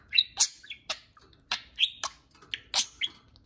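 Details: Two house budgerigars calling back and forth while out of the cage: sharp chirps and short whistled notes about every half second, some buzzy and broad, others clear and rising.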